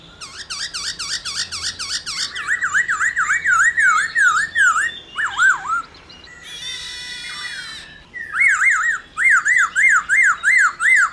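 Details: Laughingthrush in full loud 'réo' song meant to stimulate other laughingthrushes to sing: rapid repeated whistled notes, each bouncing up and down, in long runs, broken by a brief slurred note and a buzzy harsh burst.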